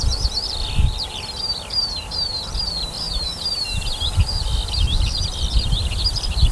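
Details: Skylark singing above a summer barley field, 28 June 2018, in a ceaseless high jumble of scratchy slurred notes and whistles, with gusts of low wind.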